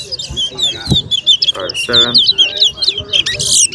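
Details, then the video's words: At a towa towa bird singing competition, a chestnut-bellied seed-finch sings a rapid, continuous run of sweet chirps and slurred whistles, while a man's voice counts numbers aloud in the background. "TOWA TOWA BIRD SINGING COMPETITION"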